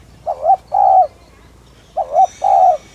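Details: Spotted dove (cu gáy) used as a lure bird, giving two coo phrases, each a brief rising note followed by a longer level hoot, a second-long pause between them, with a faint high hiss late on.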